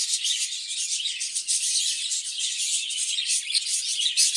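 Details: Budgerigars kept in a breeding cage fill the air with loud, dense, buzzy chirping and warbling from many birds, almost rattling in texture.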